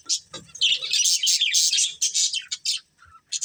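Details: Budgerigar breeding pair in quick high chatter, a near-continuous run of twittering chirps then a few sharp separate notes.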